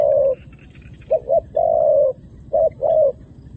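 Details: A decoy dove calls wild doves to the ground, drawing down males and females alike. Mellow coos: a long steady note, a quick double, another long note, then a short-long pair.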